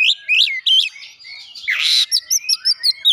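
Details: Oriental magpie-robin imitating Java sparrow, a few looping whistled notes, a loud harsh buzzy burst, then a quick series of evenly spaced bright chips.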